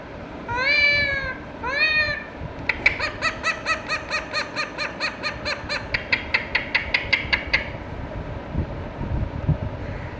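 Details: Indian ringneck parakeet talking to itself: two arched nasal calls, then a rapid run of about twenty short clipped repeated notes, fading into quiet low rumble.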